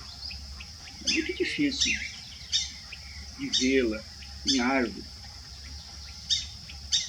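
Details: A pair of White-faced Whistling Ducks in a large roadside tree on the Serrinha trail, Uberlândia, Brazil, give shrill whistled notes in short bursts every second or so, with a man speaking softly over them.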